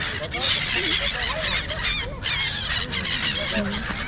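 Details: A noisy flock of birds flying around Marina Mall in Kuwait: dense overlapping harsh, wavering calls and squawks from many birds at once, with a crowd of people murmuring underneath.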